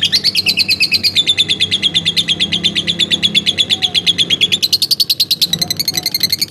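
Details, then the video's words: Pet lovebird kept at home chattering steadily: a fast, even stream of shrill high chirps, about five to six a second, rising slightly in pitch toward the end. "burung lovebird rumahan"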